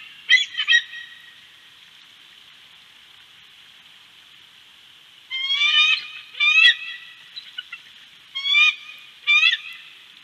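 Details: A bald eagle at Big Bear calls: short squeaky chittering phrases, a brief burst then a pause of several seconds before repeated piping bursts, with a constant high hiss behind.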